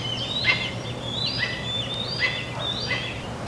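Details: Hawk chicks calling while being fed and testing their wings, recorded June 27, 2022: four drawn-out, squealing calls, each sliding downward, repeated about every three-quarters of a second over a steady low hum.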